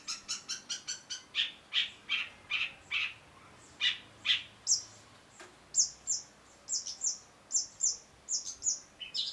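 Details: Long-tailed shrike singing: a series of short, sharp, high chips at first, then thin, high whistled notes repeated at about one-second intervals.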